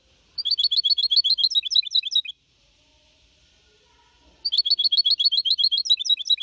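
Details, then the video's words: Caged goldfinch hybrid, 4.5 months old, singing a clean Malaga-copy song to motivate other birds: two bursts of rapid, high tinkling twitters and trills, separated by a two-second pause. "Mixto de Jilguero Cantando Limpio (Copia Malaga) 2021 🎶 Tiene 4 meses y medio Para motivar pájaros"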